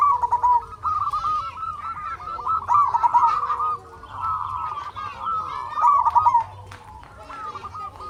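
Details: A dense chorus of local zebra doves meant to stir other doves to sing: overlapping rolling coos run almost without a break and swell in loudness several times.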